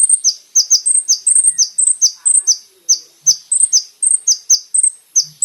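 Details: Master recording of kolibri ninja song for tutoring caged birds: sharp, very high chirps paired with short flat whistles, repeated steadily about twice per second throughout.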